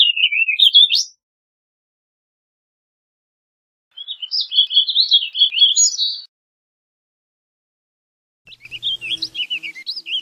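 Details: Three separate phrases of warbling vireo song, each a hurried jumble of chirpy, wavering notes about one to two seconds long, spaced by several seconds of silence.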